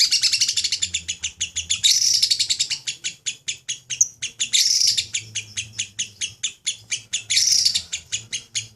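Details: Lovebird ngekek chatter, the long style used in song contests: rapid sharp ticking notes broken by recurring bursts of dense high chatter every few seconds, over a faint low hum.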